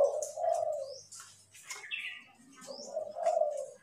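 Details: Caged decoy Spotted Doves cooing in the morning give low, mellow coos, two drawn-out phrases about three seconds apart, with brief high chirps from other small birds in between.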